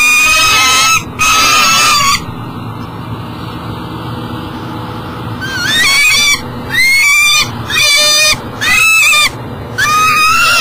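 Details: Peregrine falcon at a nest box beside the Mississippi River in Elk River, Minnesota, 7 a.m., unable to enter with breakfast. Two harsh wails, a quieter pause, then a run of short, rising-falling harsh calls about once a second.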